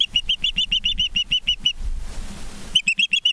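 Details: Ospreys at a nest in Charlo, Montana, on 19 September 2023 in the evening, heard from a live nest cam: a fast series of sharp, high whistled chirps about five per second, briefly broken by noise, over a low background hum.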